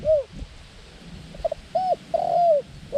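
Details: Decoy dove used to lure wild doves in ground trapping: arched, mellow coos near mid pitch, a few short clipped notes and then a longer drawn-out coo, with quiet rural background.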